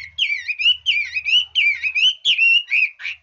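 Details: Chinese hwamei in a switching-voice song: rich whistled phrases that waver and slur up and down, delivered in quick continuous succession with a faint low hum behind.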